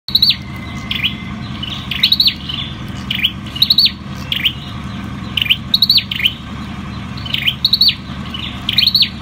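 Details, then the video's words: Ashy tailorbird, called sâu đầu đỏ, singing: loud repeated high notes, each a quick stutter of sharp ticks falling into a dipping V-shaped whistle, roughly twice a second, over steady low hum. "Sâu đầu đỏ đá tay. Bird singing Orthotomus sepium"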